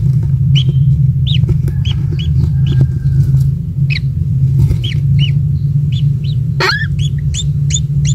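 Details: A single young kingfisher, recently hatched and still small, at its nest as a parent feeds it insects: short arched chirps repeated every half second or so over a steady low rumble, with one louder sweeping note near the end.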